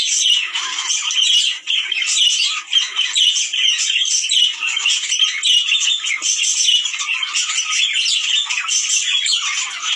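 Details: Budgerigars calling to prompt mating, the sound intended to stimulate males and females: lively flock warbling, a dense mix of chirps, squeaky whistles and short squawks, steady for ten seconds with a couple of brief dips.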